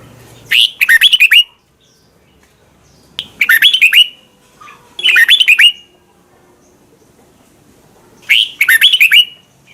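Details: In Thailand, Red-whiskered bulbul song is played so young birds learn to copy it. Four brisk, jumbled whistled phrases come at uneven intervals. Each phrase is quick, chirpy and warbling, with quiet gaps between.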